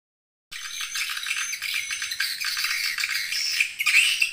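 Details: Edible-nest swiftlet lure-call recording meant to attract swiftlets: a dense, buzzy, rattling chatter, high-pitched and continuous after a brief silence, with harsher bursts near the end.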